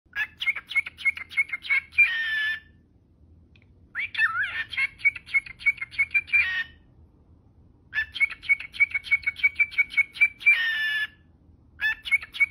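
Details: A pet cockatiel, which is making music on a laptop, gives bursts of rapid, clicky chatter laced with a thin, steady whistle, repeated in pulses.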